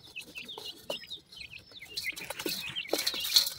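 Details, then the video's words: Black partridge chicks giving rapid high-pitched peeps, thin downward-slurred notes tumbling over each other more than twice a second, growing busier and louder toward the end, with light clicking noises. "beautiful new jora partridge chicks,teeter bird ki voices"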